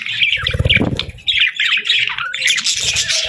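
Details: Pet parakeets chirping softly, a dense run of bright, chattering warbles and squeaky notes with short rising and falling chirps, plus some low thumping underneath.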